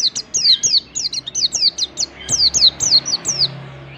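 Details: Mountain white-eye song used as training material for other white-eyes: a fast, lively string of sharp, high, downward-sliding whistled notes, several per second, in irregular bursts for four seconds.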